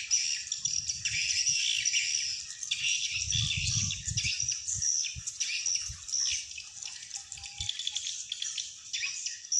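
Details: Playback of swiftlet calls meant to lure wild swiftlets into a swiftlet house: a thick chorus of rapid high chirps and twitters throughout, with irregular low knocking sounds beneath.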